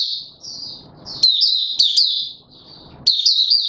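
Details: White-eye kept in a cage, pushed on form to open its song on 31 December 2021: bright, high chattering phrases with quick up-and-down slurs in three bursts, separated by brief gaps with faint low background noise.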